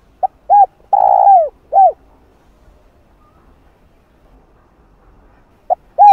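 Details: Spotted dove lure call to stir wild doves: a complete phrase of a clipped note, a hooded coo, a long rolling coo and an arched final coo, then quiet before a new phrase begins.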